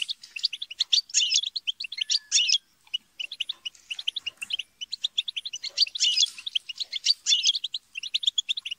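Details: A group of European goldfinches in noisy chatter and squabbling to spur a goldfinch to sing: steady rapid twittering with intense buzzy bursts at about one, two, six and seven seconds.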